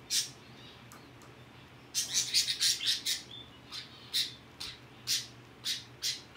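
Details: Society finch chicks in their first ten days after hatching, growing rapidly, give a run of short, high, thin chirps in quick repeated bursts, fairly regular after an early pause, over a quiet indoor background.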